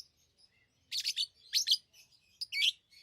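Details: Pet lovebirds give three short bursts of shrill, harsh chirps, each roughly a third of a second long, with quiet gaps between them.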